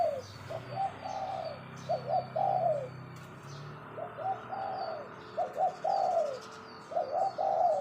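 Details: Captive decoy spotted dove giving 'phao' lure calls: repeated short phrases of purring coos that fall at the end, over a low background hum and faint chirping of other birds.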